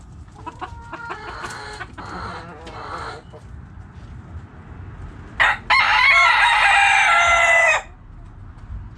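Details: Backyard chickens: soft hen clucking for several seconds, then a rooster crows loudly in a long, harsh, sustained cock-a-doodle-doo of about two and a half seconds.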